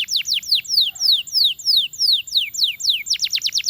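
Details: Belgian canary song aimed at getting other canaries to sing: slow repeated downward-slurred whistles, then a quicker burst of sharp descending notes.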